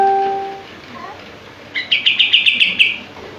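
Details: Common iora, locally kapas tembak, active singer with tail spread: steady musical tones and a faint note first, then a short burst of about eight rapid high chirped notes.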